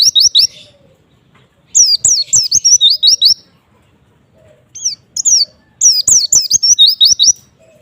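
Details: Song of a white-eye meant to make other white-eyes answer: three bursts of quick, high, sweet descending chirps with short pauses between them and faint background hum.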